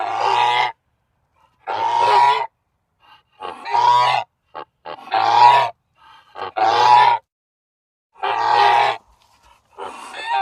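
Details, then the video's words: A goose gives loud, harsh, nasal honks, each under a second long, about seven in ten seconds, with short silent gaps between them. "goose sounds"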